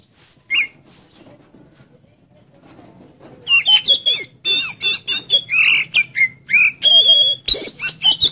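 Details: Oriental magpie-robin song played to make a kept magpie-robin sing: one whistle, a quiet pause, then a dense, rapid stream of loud, varied whistled notes, slurs and sustained high tones.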